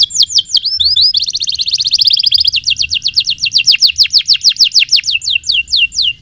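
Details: Canary singing a long, continuous song used as a training model for young birds: rapid buzzy trills, then repeated descending whistled sweeps roughly six per second, high-pitched and loud throughout.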